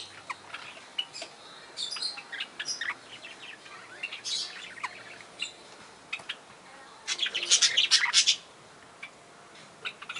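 Barred parakeets chatter in short, high, scratchy chirps, scattered at first, then a dense rapid burst of twittering before trailing off.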